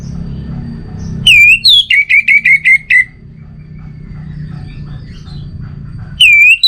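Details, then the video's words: Orange-headed thrush song: a bright slurred whistle, a higher note, then a fast series of about six short, even whistled notes; after a three-second lull a new loud whistle begins. "Obat Gacor Burung ANIS MERAH Buat Burung Yang Lagi Malas Bunyi"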